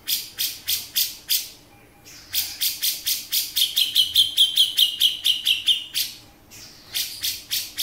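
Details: Male grey-cheeked bulbul singing in beset style: harsh, buzzy chattering notes repeated about twice a second, broken by short pauses, with a run of thin whistled notes in the middle.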